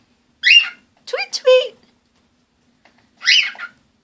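Cockatiel giving short, raspy, harmonic chirps in bursts, with a lower speech-like phrase between them.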